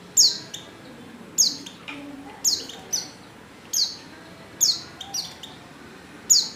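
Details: Female Oriental white-eye lure calling to make males sing: loud, sharp, high downslurred notes about once a second, some followed by a softer echoing chip.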